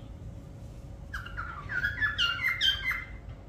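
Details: Parrot giving a run of short whistled and chattered notes, several falling slurs in quick succession after a second of quiet, with a faint low hum.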